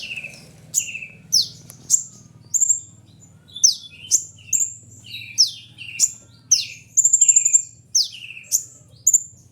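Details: Kolibri ninja sunbird giving a steady run of shrill falling chips and brief trills, roughly two per second, over a faint low hum.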